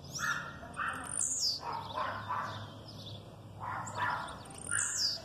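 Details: Blue-black grassquit aggressive song mixed with female calls: repeated high, steeply falling buzzy sweeps at the start and end, with clusters of lower, rough chirps between them.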